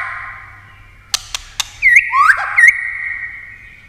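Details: White-rumped shama in competition song: a steady thin whistle holds behind a few sharp clicks, then a brief cluster of looping, slurred whistled notes.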